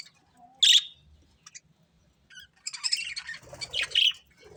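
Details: Captive budgerigars: one loud piercing chirp, a quiet gap with small clicks, then a busy stretch of scratchy chatter ending in a strong high squawk.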